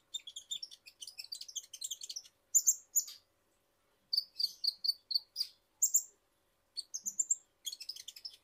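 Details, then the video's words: Kolibri ninja, a small Indonesian nectar bird, singing energetically in a lure recording: dense rapid high twittering trills, then rhythmic paired chirps repeating about every half second, ending in another fast trill. "Pancingan Super Ampuh Konin Bahan Auto Gacor | Kolibri Ninja Gacor"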